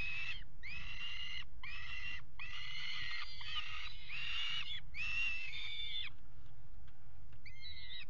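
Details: Pairing peregrine falcons on the rim of a water tower nest box, February 2018: repeated rasping, whining calls roughly every 0.7 seconds, then quiet and a final short whistle.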